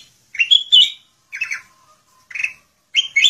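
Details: Kutilang emas bulbul singing "gacor full isian", a busy song packed with varied phrases: four short chattering bursts of bright, slurred notes, each about half a second, spaced roughly a second apart, with a faint thin tone between them.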